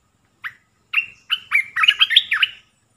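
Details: Olive-winged bulbul lure song of three phrases, used to draw in wild birds: two short opening chips, then a quickening chain of liquid warbled notes ending in a brief level whistle.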